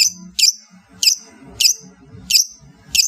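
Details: Madura long-tailed shrike repeating a loud, harsh, scratchy note with a whistled edge about every two-thirds of a second, with faint low rumbling between notes.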